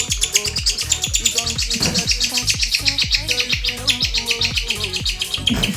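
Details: A four-month-old female pet bird chick begs while her father feeds her close to a person's face. Rapid, high, scratchy chirps repeat about once a second over steady background music, with a few spoken words.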